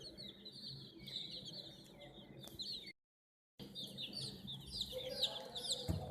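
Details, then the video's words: Many domestic chicks near a toy JCB crane chirp in a busy overlapping chorus of high, short peeps, broken by a brief complete silence before the peeping resumes, louder and denser. "Chicks Chirping Sound"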